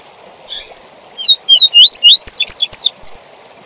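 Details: Double-collared seedeater performing the tui tui zel zel song for training young birds: a soft chip, then clear rising whistled notes speeding into harsh buzzy slurs, with a faint hiss behind.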